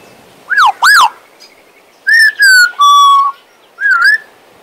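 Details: A pet male Western Australian magpie gives two arched whistles, then a falling phrase that settles into a long level whistle. A last note swoops up and down, all on a quiet background.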